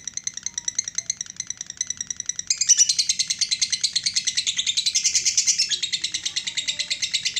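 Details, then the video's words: Lovebird delivering a long 'ngekek panjang' trill: steady high chattering pulses that grow louder and denser partway through, forming one continuous rapid rattle. "Lobe bird ngekek panjang"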